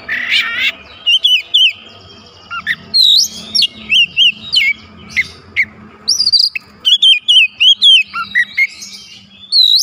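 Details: White-rumped shama, locally kacer, pouring out a long varied song of sharp whistles, rising and falling slurs and rapid chip series, with a faint steady hum beneath.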